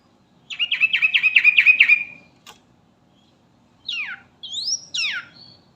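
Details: Sooty-headed bulbul, 'garuda' type, calling companions: a chattering trill of about nine rapid notes, then after a pause several separate sharp slurred notes sweeping down and up.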